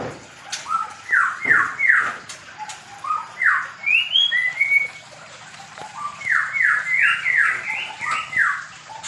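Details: Medan-type white-rumped shama kept in a mini aviary while being paired: loud whistles, often falling notes given in quick runs of three or four, broken by short pauses and higher rising whistles, with faint background hiss.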